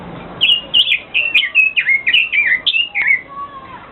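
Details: Chinese hwamei singing a lively run of loud whistled phrases, each note swooping and slurring between mid and high pitch, about a dozen quick phrases with brief gaps, over faint background hiss.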